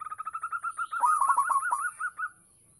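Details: Local zebra dove singing actively to lure others: a fast, slightly rising run of cooing notes that swells into a louder rolled phrase and then trails off, over a constant high-pitched hum.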